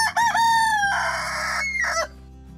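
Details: Rooster crowing once: a loud, drawn-out cock-a-doodle-doo with a rising opening note, a long harsh middle and a sharp falling end, over soft background music.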